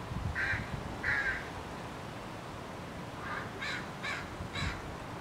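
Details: Young crow being fed, then interrupted, giving harsh, raspy begging calls: two drawn-out hoarse notes, a pause, then three shorter rasping calls about half a second apart, over steady outdoor background noise.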